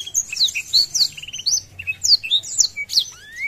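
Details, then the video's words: Blackthroat, a caged songbird, singing in energetic form with spread wings to provoke rivals: a rapid, varied string of high whistled notes and sharp chirps, with a short buzzy trill and a rising whistle at the end. "Blackthroat Gacor Buka Sayap | Memancing Emosi Lawan"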